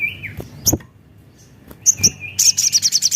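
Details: Javan cochoa song played to lure and stimulate other birds into singing: a thin falling whistle and scattered sharp notes, then a fast, high, rattling trill beginning near the end.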